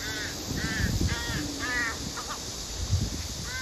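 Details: Crow, a female begging the male for food, gives a series of harsh, nasal calls with stacked harmonics, about five short hoarse notes repeated roughly every half second, over steady broadband hiss and low rumble.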